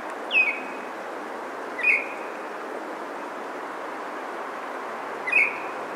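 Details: Singing Baltimore oriole, Maynard, Massachusetts, on May 9, 2023: three spaced, clear, down-slurred whistles with gaps of a second or more between them, over a quiet hiss.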